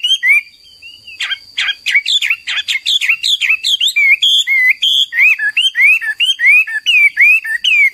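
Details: Garrulax canorus, the Hwamei or Chinese laughingthrush, pouring out a fast song of sharp downslurred notes followed by a long series of clear, looping whistles repeated about every third of a second; a steady high tone persists.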